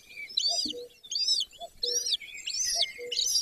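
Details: Golden eagle at a nest in Bucovina, Romanian Carpathians, where a pair (female and male) breed, 20 May 2024 at 09:20: a run of thin, high, arched chirps about every two-thirds of a second, with soft low notes between them.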